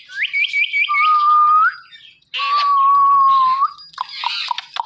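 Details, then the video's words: Indian ringneck parrot calling out "Mithu": a quick run of rising chirps, then two long, steady, whistle-like tones separated by a brief pause, with harsh, rasping squawky bursts in between and at the end. "Indian Ringneck Parrot Calling Mithu Mithu"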